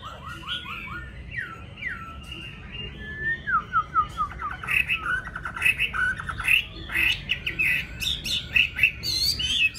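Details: Captive yellow-billed Chinese hwamei kept at home: a loud, varied run of clear whistles, rising slurs and quick repeated notes, growing busier and more rapid toward the end.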